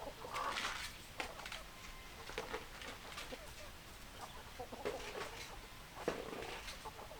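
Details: Chickens clucking in a group: a louder burst of clucks at the start, then irregular short clucks and occasional sharper notes from several birds, with a steady noisy background.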